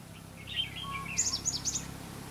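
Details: Red-whiskered bulbul decoy singing at a trap, 5 November 2016: a lower slurred warble is followed by a quick run of high, sharp, chirpy notes.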